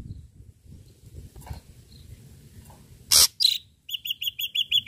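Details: Ashy drongo singing energetically, used as a lure recording with sharp striking notes; after a quiet stretch of faint low rumble, two loud harsh rasping bursts are followed by a fast series of high, evenly spaced chips.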